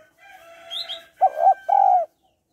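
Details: A female spotted dove calling to stimulate males gives a soft, breathy lead-in followed by two deep, rounded coos in quick succession, each about a third of a second long.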